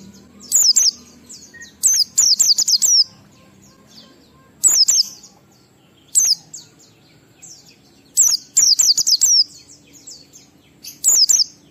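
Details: Shrill ngalas song of an Oriental white-eye, meant to make caged birds start singing: bursts of three to five high, slurred tweets recurring every couple of seconds over twelve seconds, with quiet gaps and a faint background hum.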